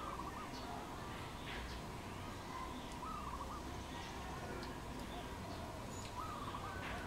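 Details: Wild dove calling in Cambodia on 1 May 2020: several rippling, trilled coos spaced a few seconds apart against constant hissing background noise and scattered faint high bird notes.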